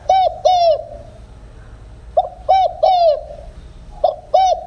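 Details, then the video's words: Field spotted dove coo without the ending note, a lure sound for dove trappers. Soft, resonant phrases of two or three hooting notes, each arching down, recur roughly every two seconds over a quiet background. "tiếng cu gáy đồng không hậu/ tiếng cu gáy kích bổi nhanh nổi/tiếng cu gáy đồng không hậu siêu kích/"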